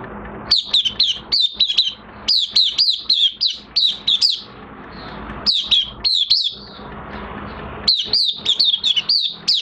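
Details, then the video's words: Oriental white-eye in minor moult, singing: rapid bursts of high, sharp, down-slurred chirps, each burst of several notes separated by short pauses, with a faint low hum behind. "Mata Puteh Kitaro V1 buka sing in minor moult"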